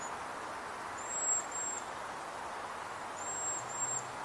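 Two very high, thin, hissing whistles of a waxwing, each drawn out in two short parts, about two seconds apart over a steady rushing background noise.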